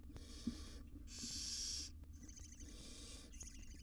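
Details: Tiny barn owl chicks groomed by their mother in a wild nest box used for research in Israel; a strong breathy screech is followed by weaker hisses with a faint stuttering, chittery texture.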